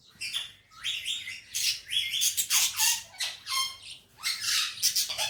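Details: Parrot kept as a talking bird, in a happy mood, chatters nonstop with rapid, raspy squawks and squeaky, sliding notes, about three to four bursts per second, loud and close in a quiet room.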